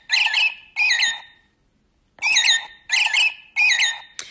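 An American Robin sings five rich, warbled whistled phrases, each about half a second long, with a short break after the second; nothing else is heard.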